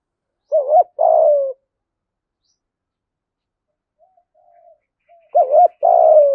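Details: Spotted dove trained as a decoy bird, heard in two clipped cooing bursts. Each is a wavering hoot followed by a longer falling coo, separated by a quiet gap with faint low notes.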